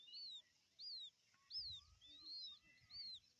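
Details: Newly hatched quail chicks found in the morning after rain, calling for their mother: high, thin piping notes that arch up and down, roughly one every 0.7 seconds, over faint rustling.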